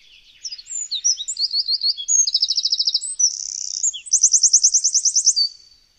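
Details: Eurasian wren recorded with a Zoom H6 delivering a full, powerful song of about five seconds: high varied whistles and chips, a rapid trill, a brief buzzy passage, then a long ringing trill of even repeated notes before stopping abruptly.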